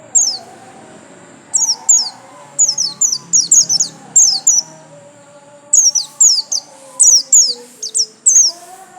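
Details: Kept white-eye singing energetically: bursts of very high, sharp descending chirps in clusters of two to four, separated by short pauses, with faint low background hum.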